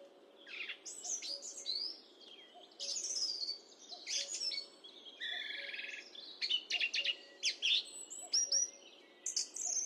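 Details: Song thrush singing, high definition microphone: dense varied phrases mixing whistles, buzzy trills and sharp clicking notes in bursts, with a faint low hum.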